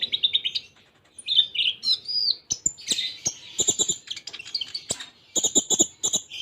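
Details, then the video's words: Tutor recording of Kolibri Ninja (konin) song, a contest songbird, full Cililin-style fill-in with tight pauses; dense high twittering phrases, fast trills and sharp ticking notes running almost without break. "Masteran Konin Full Tembaan Cililin Jeda Rapat"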